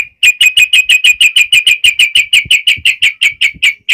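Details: Yellow-vented bulbul giving a fighting song, ngalas uplik ropel style, played to make birds respond. A single sharp note repeated about three times a second, very evenly, with faint low knocks beneath.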